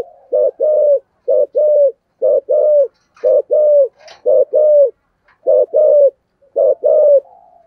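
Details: Decoy spotted dove cooing in the 'thổ' voice style, a deep tone valued by keepers: paired short-then-long low coos repeated steadily about once a second, each long note bending slightly downward, with a faint higher chirp in between.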